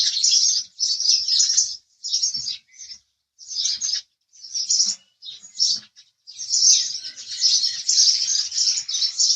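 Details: House sparrow chirps arrive in rapid, scratchy clusters with frequent short pauses early on, building into a sustained run of overlapping chirping over the last few seconds.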